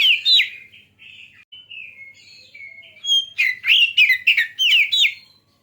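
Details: Oriental magpie-robin singing, a song used to provoke other birds to sing: sweet whistled notes and slurred glides lead into loud, rapid, rich phrases with sharp rising and falling sweeps, delivered in quick succession.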